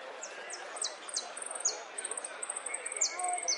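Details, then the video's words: Saffron finch delivering a song of golpes, pitadas and prio, a steady run of shrill high buzzy pulses interspersed with repeated sharp falling whistles about every half second, over faint background hiss. "JILGUERO AUDIO "ATILA" ( golpes, pitadas y prio)"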